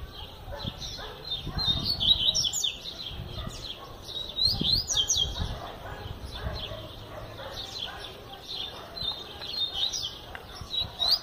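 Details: Tutor double-collared seedeater, said to sing the whole year, delivering rapid high chirps and short slurred whistled phrases over and over, under low thumping background noise and possible faint voices.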